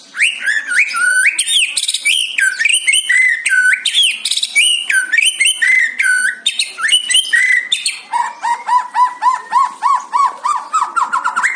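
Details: White-rumped shama singing in fighter style, a captive songbird: loud, fast, varied whistled phrases with sharp stepped notes, ending in a rapid run of repeated lower rising whistles.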